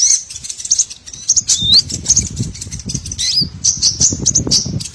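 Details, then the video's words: Small birds chirping on a trapping lure: thin high chirps and short rising whistles scattered throughout, over a steady low rumbling background noise. "MP3 BURCIL COCOK UNTUK PIKAT SEGALA JENIS BURUNG KECIL"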